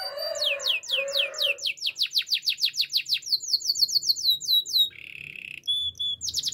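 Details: Canary singing a training song: low mellow warbles give way to a long series of bright, swooping down-slurred whistles, about four per second, followed by a harsh buzzy roll and clipped high notes.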